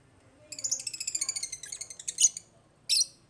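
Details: African lovebirds chirping in a rapid chattering run of about a dozen shrill notes, followed by a louder squeaky burst and one final harsh chirp.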